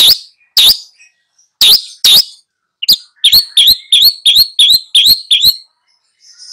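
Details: Long-tailed shrike singing to train two young birds: a few loud, harsh upswept calls, then a fast even run of sharp rising chirps, followed by a faint buzzy note.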